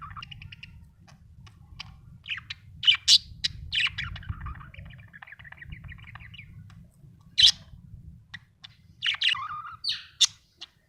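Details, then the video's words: Budgerigar, described as happy, chirping: a long run of rapid ticking chatter and a buzzy trill, broken by loud sharp squeaky chirps and a falling whistle. "Happy budgie chirping sound"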